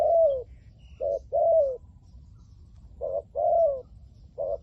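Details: Spotted dove of the 'liu tan' voice type, a decoy bird used to lure wild doves, giving soft hoarse coos in short groups, a brief note then a longer falling coo, separated by pauses; quiet rural background.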